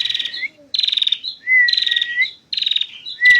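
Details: Female prinia delivering nonstop 'ngentir' song: rapid buzzy trills and sharp, clear whistled notes follow one another closely, with brief breaks between bursts.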